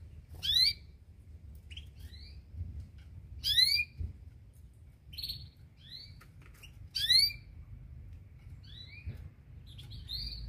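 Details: Local canary giving loud rising whistled notes every few seconds, separated by softer chirps and silence, with a low background hum.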